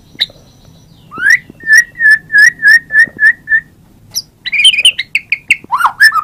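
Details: White-rumped shama from a 2017 murai batu compilation: a rising whistle, then a steady series of about nine clear mid-pitched notes, then a quick jumble of varied chirps and downslurs.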